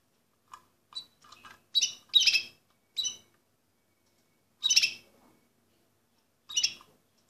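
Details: Orpheus-breed canary giving scattered short chirps and harsh squawky notes, separated by pauses of a second or more, high-pitched and irregular, in a quiet room.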